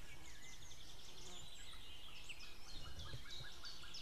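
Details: White-tailed eagle calling on 2 May 2016 near midday, a female calling with a distant male answering; rapid series of high yelping notes over steady low rumbling background noise.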